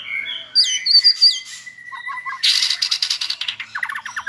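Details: A white-rumped shama tutoring session aimed at a clear voice; bright rising whistles, a long steady tone, soft three-note drops, then a harsh buzzy burst and quick descending chips.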